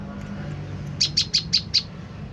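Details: Tailorbird (prenjak lumut) call played as a lure to provoke a reply: five sharp, high chips in quick succession, about one every fifth of a second, over a low steady hum.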